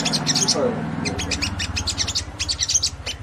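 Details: Crimson Sunbird in gacor ngleper song, meant to rouse other sunbirds: rapid high-pitched ticking chatter in dense bursts over a low humming background, with a human voice briefly audible.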